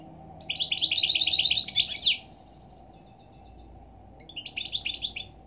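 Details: Morning song of a European goldfinch: a two-second burst of quick twittering, tinkling notes, a silent gap, then a shorter twittering phrase, with a faint constant hum beneath.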